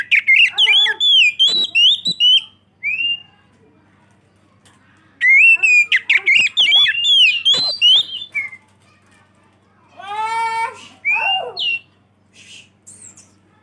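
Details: Oriental magpie-robin in full, loud song, used to lure other magpie-robins: two rapid bursts of varied whistles and sharp notes, separated by a pause, then harsh, buzzy rasping notes and a few faint high notes.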